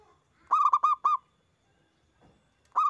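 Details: Zebra dove, a local bird, sings to prompt answering doves: a crisp phrase of four clear, resonant coo notes, quiet for over a second, then another phrase beginning.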